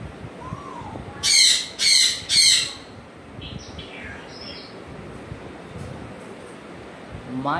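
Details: Pet African grey parrot uttering three loud, harsh, rasping squawks in quick succession, followed by softer buzzy notes and a rising whistled note at the end.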